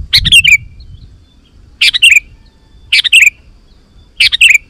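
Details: Actively singing sooty-headed bulbul, a lure recording meant to make other bulbuls respond and sing: four quick bubbly phrases of falling whistled notes, roughly one every 1.2 seconds, with faint low rumble.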